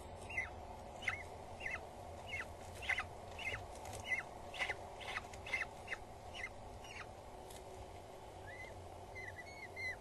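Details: Peregrine falcon chicks, two in a nest on Axel Tower in the Netherlands, 19 April 2022 around midday, while the mother arrives with food and feeds them: high, thin begging notes repeated about every half second over steady low city rumble, with a few squealing calls near the end.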